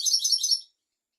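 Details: Brief burst of rapid, high, tinkling twitter from a European goldfinch, part of a tutor recording for young goldfinches and canaries, fading out after under a second.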